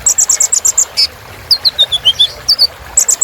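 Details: Kolibri ninja sunbird filler song to spur birds on: a quick row of bright high chips, then a descending series of thin whistled notes, more chips at the end.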